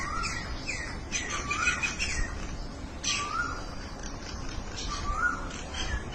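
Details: Birds calling back and forth, repeating slurred rising whistled notes every second or so, with fainter higher chirps above and a constant background hiss.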